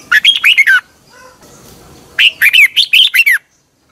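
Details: Red-whiskered bulbul in morning song, recorded as a lure for training: two quick phrases of loud, rolling whistled notes that rise and dip, with a brief soft gap between them.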